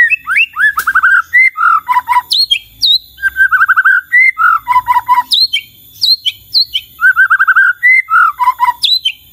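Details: White-rumped shama song, played to set other shamas answering and singing vigorously: loud whistled phrases alternating with fast rattling trills, high sharp upslurred notes and falling chirps, repeated almost without pause.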